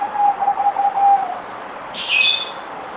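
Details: Zebra dove (merbok), kept bird under deworming treatment, fourth day, 17 April 2020: a fast string of pulsing, level coos ending in a slight drop, then a high chirp from another bird.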